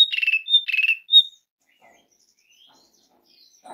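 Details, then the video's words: Asian pied starling call used to lure other birds into singing: two harsh buzzy rattles, each followed by a short clear whistle, then near silence broken only by a few faint distant chirps. "SUARA PANGGILAN JALAK SUREN, PANCINGAN JALAK SUREN AGAR GACOR"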